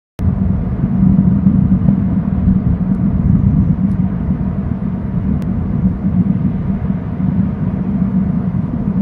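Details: Loud low rumble, like a passing vehicle or wind on the microphone, runs throughout with no animal voice.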